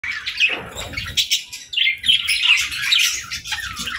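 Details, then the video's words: Several playful budgerigars in the evening, chirping while fluttering and exploring: bright, scratchy warbled chatter in quick bursts with short pauses, plus a few soft low thumps. "Parakeets Chirping & Playing"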